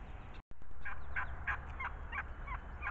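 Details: Wild turkey meandering as spring approaches, gives a quick run of short, rattling gobble-like notes, about six bursts in two seconds, over a steady low rumble of wind or traffic.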